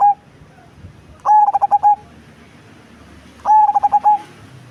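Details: Large-bodied black cemani-type zebra dove with a big, deep voice gives two cooing phrases, each a fast burst of short, low, staccato notes ending in a longer hold, separated by about two seconds of quiet.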